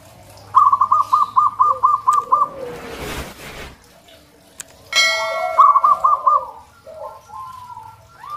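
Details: Local zebra dove singing: a quick run of short arched notes, then a noisy gap and a bright metallic ding before more soft rounded notes.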